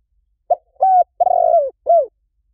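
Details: Spotted dove cooing, a recording used to draw doves in quickly: one phrase of four mellow, low coos, a short note, a flat coo, a long slightly wavering coo sliding down, and a final falling coo, in silence.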